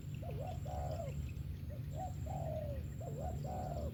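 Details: Spotted dove cooing: two phrases, each a short hooked double note rising then falling, followed by a longer wavering coo that fades downward, over a steady low hum.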